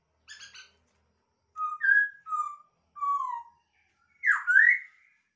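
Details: Captive-bred masked laughingthrush giving a brief buzzy stutter, then a series of clear whistled notes, some rising and some falling, ending in a loud V-shaped swooping whistle, in a quiet room.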